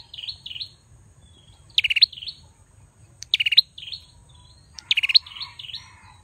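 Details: Bar-winged prinia male alternating paired wavering whistles with loud rattled pulse bursts, phrases roughly every one and a half seconds against a quiet low hum.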